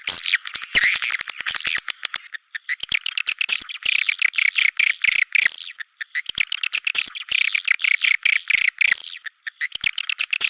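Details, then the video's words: Continuous swiftlet chatter: dense rapid chirps and rattles with brief, frequent breaks, keeping a steady shrill twittering throughout. "SUARA BURUNG WALET"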